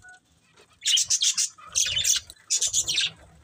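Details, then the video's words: Budgerigar breeding pair: after near silence, three short bursts of sharp, high, scratchy chirps, each about half a second long. "Cute Budgies Chirping Sounds"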